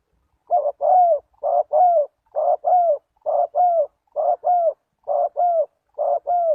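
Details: Calling spotted dove, recorded as a lure for wild doves, giving seven rhythmic two-part coos in quick succession, a clipped coarse note and then a longer mellow descending one, no other sounds.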